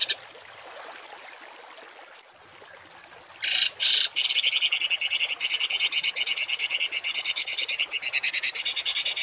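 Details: Songbird in a masteran recording of rough 'tembakan kasar' notes for cage-bird training: quiet at first, then two short harsh bursts, then a fast, steady chatter of clipped high notes.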